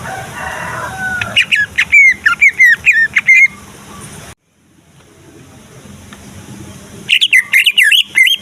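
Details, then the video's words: Greater green leafbird, a Kalimantan male kept for contests, song meant to provoke other leafbirds: faint chatter, then two seconds of sharp slurred whistles, a silent gap, and a closing burst of fast twisting notes. "Cucak Ijo Dijamin Ikut Jamtrok Nyaut Bunyi Ngamuk Mendengar Suara Cucak Ijo Gacor Ini"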